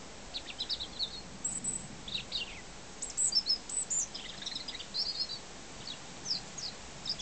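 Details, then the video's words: A European robin sings in an apple tree in a garden in summer 2006: thin, high, tumbling phrases of quick varied notes, broken by short pauses, over a soft background hiss. "robin singing"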